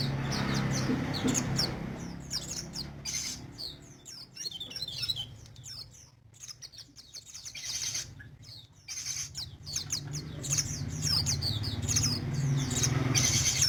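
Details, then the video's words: Sogon, the crested jay, in vigorous song during 2020: long runs of rapid, high, scratchy chirps and whistles, briefly thinning midway before resuming densely, over a persistent low droning background. "Burung sogon gacor"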